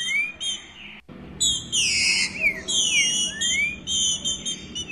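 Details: Female green-winged saltator (Saltator similis) soliciting mating gives bright, high whistled notes with quick rising upslurs, repeated in short, uneven bursts over a faint low background hum.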